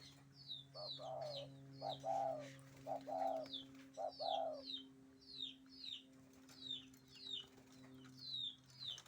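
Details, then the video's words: Spotted dove in breeding condition, cooing in courtship: a series of soft, low coo notes in the first half, with many thin, high, downslurred chirps from small birds and a steady low hum throughout. "burung derkuku birahi sedang bercinta"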